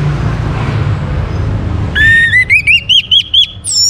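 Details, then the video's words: Following two seconds of background rumble, an orange-headed thrush whistles a run of about seven rising, clear slurred notes in steady rhythm, ending on a higher note; used to get other birds singing. "KICAUAN ANIS MERAH UNTUK PANCINGAN AGAR BURUNG IKUT BERKICAU"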